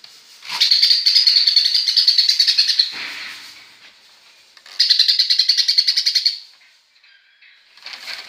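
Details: Greater green leafbird copying a sparrow, delivering long runs of fast, rattling high chirps, the first about two seconds and the second about one and a half, with quieter twittering in between.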